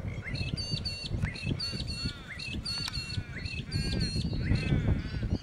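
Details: Hungry ducks in New South Wales, Australia, during the 2012 rice season, giving a quick series of short, arched, harmonic calls, several per second, overlapping from more than one bird above a steady low rumble.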